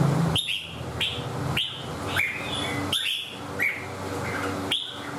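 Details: Caged red-whiskered bulbul in 'xoè ôm cóng' song: loud, crisp whistled phrases of two or three notes, each opening with a sharp upward snap, repeated about every half second to second over a faint low hum.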